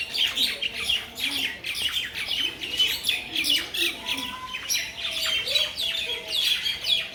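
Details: Mynas in a Bangladeshi village chatter in a dense, continuous jumble of harsh squawks, chirps and rasping notes, with a few clearer whistled notes mixed in.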